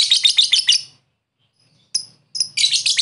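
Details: Lovebird ngekek call used to lure a rival: a burst of rapid, high chattering notes, a second of silence, then a thin squeak and a renewed fast chatter.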